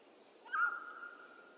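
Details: A mountain quail of western North America gives one loud, clear whistled note that starts with a quick slur and then holds steady and mid-pitched for about half a second, against a quiet background.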